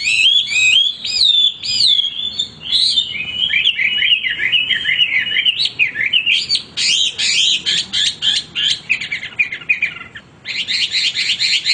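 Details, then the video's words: Male Hwamei singing without pause, a loud varied stream of rich whistled phrases, slurred warbles and rapid repeated notes, later shifting into fast buzzy trills and chattering bursts. "wambi gacor berkicau tanpa henti"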